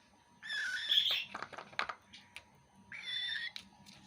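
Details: Young cockatiel feeding, with two raspy squawking bursts around a run of soft clicks and taps.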